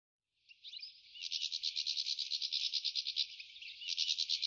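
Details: Goldfinch in the New Forest: after a soft opening, a steady buzzy trill of rapid pulses, roughly three per second in swelling beats, rising in strength toward the end.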